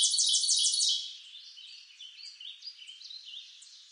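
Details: Singing Tennessee warbler gives a fast run of loud, high, clipped notes for about a second. Softer scattered high twitters follow over quiet background.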